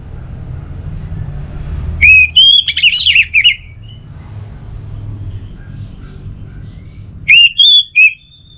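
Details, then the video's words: Orange-headed thrush from Singaraja, Bali, singing as a lure for kept birds: two bursts of loud clear whistles, the first a rising note then a jumbled rapid phrase, the second a short whistled pair, over low hum. "ANIS Merah Dirumah Pasti Bunyi Dengar Pancingan Kicauan Burung ini"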